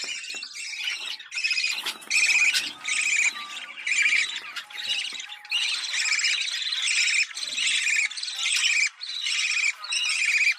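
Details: Budgerigar mating sound played to stimulate pairing: rapid chattering phrases repeating a little faster than once per second, each a buzzy, metallic warble with brief whistled notes between them.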